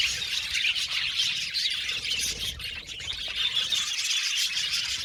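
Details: Many budgerigars in an aviary colony chatter together, a busy mix of quick high chirps, squawky notes and short whistles running without pause.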